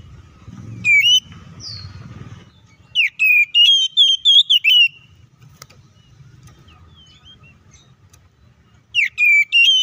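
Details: Kacer fighting song, used as a lure to anger other white-rumped shamas; short bursts of loud, pure whistled notes, some rising, grouped in quick phrases with pauses between, plus a faint low rumble and a short hissy sound.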